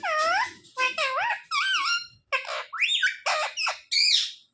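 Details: Talking pet parrot that says "mummy" and "papa": a series of about eight harsh, strongly harmonic calls, some curving downward and others rising, each about half a second long with brief gaps.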